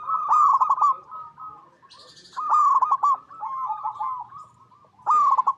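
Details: Local zebra dove, or perkutut, cooing as a lure to set other doves singing: three rich trilled coo phrases separated by short pauses, with a brief rustle between the first two.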